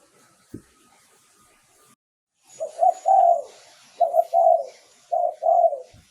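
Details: Spotted dove used as a lure bird. Brief handling noise and hiss come first, then three low coo phrases in quick succession, each a short double note leading into a longer, sliding coo.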